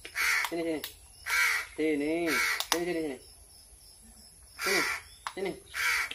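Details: Crow calling from hunger as it is fed: harsh caws in bursts at the start and end, with a man talking through the middle section.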